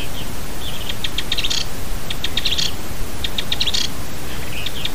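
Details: A rare Rufous-sided pygmy tyrant, agitated, on the road to the Peba community, Chapada dos Guimarães, Mato Grosso, Brazil, gives quick bursts of thin, high chattering notes about once a second over a low rumble.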